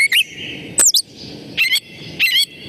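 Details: Gray Catbird of New York State sings rambling, patternless song: short, varied bursts of squeaky, chippy and whistled notes, each phrase different, about every half second with brief pauses.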